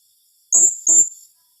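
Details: Shrill tembakan rapat call of a blue-crowned hanging parrot: two thin, very high-pitched notes delivered back to back, sharp and strident, then silence.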